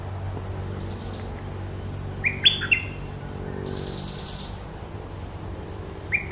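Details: Brief bursts of Red-whiskered bulbul song: a fast, chirpy whistled phrase near the middle and another starting at the end, with a constant low background drone.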